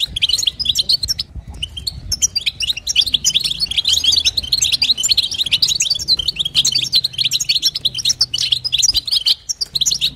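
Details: A female goldfinch gives her stimulating call to rouse a male, batbata and satsata style: an unbroken stream of bright, quick chirps and liquid twitters, with a brief pause early on and a low steady hum behind.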